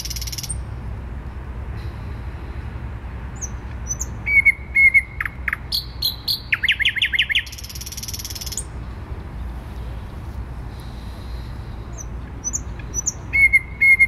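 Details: Thrush nightingale singing in central Warsaw on 12 May 2020. Quiet pauses frame a burst of song with clicks, a dense high buzz and quick repeated sweeping notes, then scattered short phrases, with steady low traffic rumble throughout.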